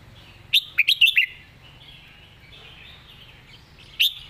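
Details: Red-whiskered bulbul competition song: a short, fast phrase of four or five bright, bubbly whistled notes, then a single note about three seconds later, over soft background chatter from other birds.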